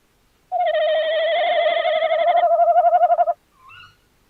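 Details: Long quavering tawny owl hoot lasting nearly three seconds with a fast regular tremolo, followed by a short high rising note; recorded 11 January 2026.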